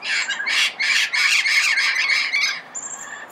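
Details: Red-crowned amazon in Pasadena, recorded early morning, gives a nearly continuous series of loud, coarse, screeching squawks about three per second, then a thin high whistle at the end.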